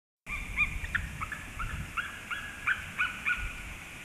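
An eagle gives a run of short, high, slightly downslurred yelping notes, several per second, over a low rumble of wind.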